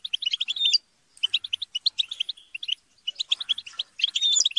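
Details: European goldfinches chattering and squabbling as a group, meant to stimulate singing: dense rapid twittering of short high notes with a few clear whistled slurs, broken by two brief pauses.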